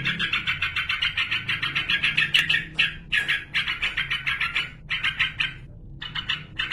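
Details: Yellow-vented bulbul, a male singing steadily to call a rival, used as a lure to make other bulbuls answer; dense bursts of harsh, rapid notes repeated about three times a second, broken by short pauses.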